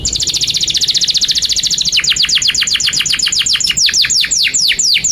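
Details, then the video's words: Canary singing 'gacor panjang' style as a master song for young canaries learning their notes: a fast, even high trill for two seconds, then slower rhythmic series of loud downward-sweeping whistled notes, about four per second. "Kenari GACOR PANJANG INI Cocok untuk Masteran KENARI PAUD dan Kenari Macet"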